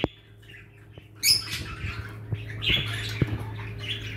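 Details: Caged budgerigars, Australian parrots kept in a breeding colony in Pakistan, chattering in short raspy squawks and warbles after a quiet opening, with taps and clicks from the cage and a low hum throughout.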